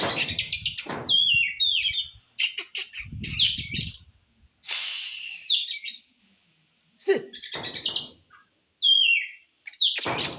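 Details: Oriental magpie-robin, a contest bird, singing to provoke rivals: varied whistled phrases and harsh buzzy bursts in short separated bouts, with sharp rising and falling notes between pauses.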